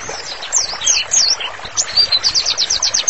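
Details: Training song of a white-rumped shama: a few high twisting whistles, then a fast even series of about ten sharp high notes repeated at a steady pace.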